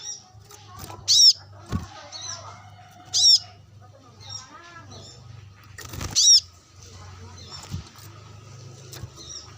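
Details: Brown-throated sunbird calling rivals while being sunned, repeated high piercing chips and quieter twitters over a steady low hum.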